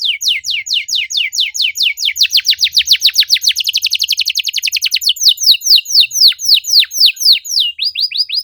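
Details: Canary, presented as a bait song to make silent canaries sing, delivering a long chain of falling chirps that quicken into a tight rapid trill in the middle and then loosen into slower swooping notes.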